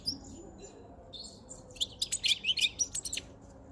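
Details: A caged European goldfinch with a white throat, caught five months earlier, sings near spring at breeding season onset: a quick tinkling twitter of high notes swelling into dense liquid trills and buzzy chirps.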